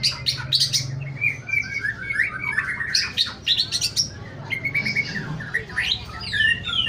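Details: Morning song of a pastol-type white-rumped shama: fast sequences of slurred whistles and quick rising and falling notes, interspersed with crisp high chirps, continuous for several seconds with a steady low background hum.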